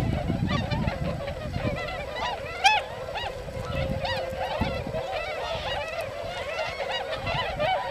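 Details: Hundreds of tundra swans in winter farmland at Hakuta-cho, Yasugi, Japan; a steady chorus of nasal, rising-and-falling whooping honks from the flock, with one louder close call and some low background rumble.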